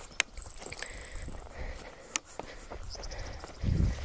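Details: A male grasshopper sparrow (Ammodramus savannarum) sings a thin, very high, insect-like buzz of about a second in summer in a cattle-grazed, burned prairie plot, faint beneath footsteps, rustling and wind; he has stayed in one spot all summer.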